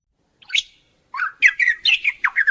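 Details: Lyrebird in Australian eucalyptus forest mimicking other sounds; a short chirp is followed by a quick series of sharp, bright, chattering notes in the middle to high range.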